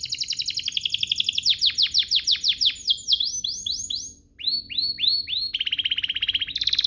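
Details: Canary song serving as a lure for other canaries to sing. Loud rhythmic downward-swept notes repeat steadily, a short pause follows, then slower looping whistles and a fast buzzy trill close the phrase.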